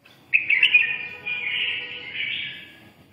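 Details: Long 'siêu ché' phrase from a red-whiskered bulbul ('mí đỏ'): sharp chirped notes open, then a sustained rolling warble swells twice before dying away, over faint steady background tones.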